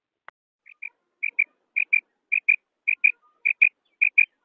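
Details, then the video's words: Female common quail calling with clear high notes in paired doublets, each pair repeated about every half second, after one sharp click at the start. "Female common quail sound Madi batair ki krik"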